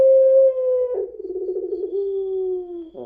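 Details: Puter pelung dove, described as crying until it coughs. A smooth held coo is followed by a trembling, wavering section, then a gently falling tone ending in a rough note.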